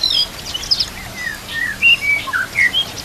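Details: White-rumped shama song used as a master recording to train other shamas, mixed with nature sounds and trickling water: clear whistled notes and slurred phrases at varied pitches, with short pauses between them.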